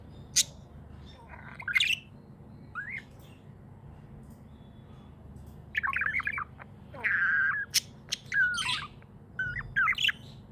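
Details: Pet budgie chirping happily: sparse sharp squeaks early, then a livelier stretch of warbled, buzzy chirps and a longer harsh chatter, with pauses between groups and low hum beneath.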